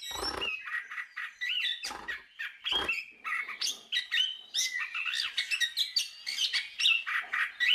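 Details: Gacor song of a chestnut-capped thrush, recorded as masteran for training songbirds: rich, varied whistled and warbled notes in quick succession, with several loud broad bursts early on.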